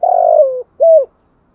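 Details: Spotted dove decoy bird calling in the morning to lure wild doves, 'thúc gù' style: a long, slightly falling, rough coo followed by a shorter clear hollow coo.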